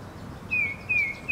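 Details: Tufted titmouse in spring, a scruffy male with ragged feathers from frequent fights, calling near a person: three clear whistled notes, each sliding slightly downward, repeated about every 0.4 seconds over faint background noise.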